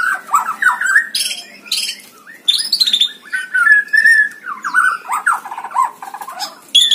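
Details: White-rumped shama performing at a songbird contest, used as training song: a rich, varied outpouring of whistles, chatters and short trills that shifts pitch often, with little pause between phrases.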